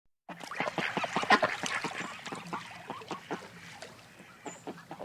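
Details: A group of ducks at the side of a pond quacking in a busy, overlapping chatter of harsh, nasal calls, several per second, fading slightly toward the end.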